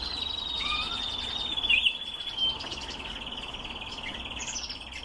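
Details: Canaries kept for breeding: a long, steady high rolling trill runs almost unbroken through the whole stretch, with a few short sharp chirps over it and a low hum beneath.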